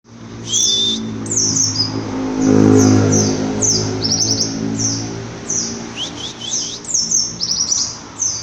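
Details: White-eye of the type known locally as 'pleci bruno' singing: thin, very high whistled notes that slide downward, each about half a second long and repeated every second or so, with occasional quick stuttering triplets, over a low rumbling background hum.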